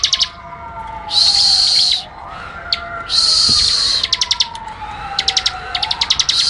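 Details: Prinia in ngebren style: dense, sharp buzzy bursts and rapid clicking trills, high-pitched, alternating with short pauses, over a wailing siren sweeping slowly up and down in the background.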